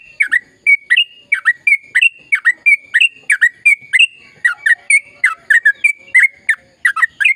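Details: Sooty-headed bulbul giving a long, rolling, chattering song meant to spur quiet birds to sing: clear, bright chirps repeated steadily, roughly three per second, each sliding down, with little else heard.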